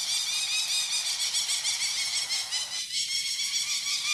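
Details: Wild adult peregrine falcons circling frantically above their cliff nest on Mount Tom, Western Massachusetts, upset at a perceived attack on their young chicks during banding: a relentless stream of harsh, rapid cacking notes, evenly repeated, with wind-like hiss.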